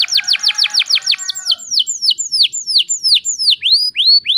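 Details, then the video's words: Singing canary played to coax quiet canaries into song: a quick series of steep falling notes, then slower, spaced downward-curving whistles repeated about every third of a second. "PANCINGAN KENARI GACOR TERBARU AMPUH ATASI KENARI MACET BUNYI"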